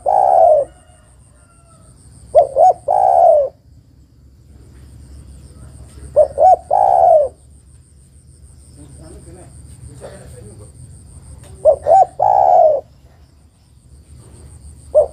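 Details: Female spotted dove calling a male with repeated phrases of two short hoarse notes and a sustained soft coo, given about every four to five seconds. Five phrases are heard. A faint murmur sounds between calls.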